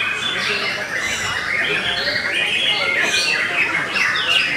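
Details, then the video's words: Song of a white-rumped shama, Belanda type: a busy run of chattering, slurred whistles and sharp rising sweeps, with short harsh rasps woven through the constant flow of notes. "TOP CERR🔥 Murai Batu BELANDA Memang TOP - Masih Stabil"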